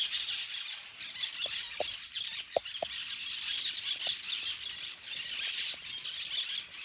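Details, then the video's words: Parakeets in a flock playing among trees, giving a constant wash of high, harsh squeals and chatter from many birds at once; a few short sharp clicks or knocks stand out in the middle. "flock of parakeets playing in the trees / bandada de pericos jugando en los arboles"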